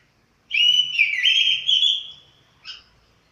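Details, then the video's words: Chestnut-capped thrush after completing its moult, singing one loud, rich whistled phrase lasting about a second and a half, wavering slightly in pitch, followed by a brief clipped note after a short pause. "Burung Anis Kembang selesai mabung"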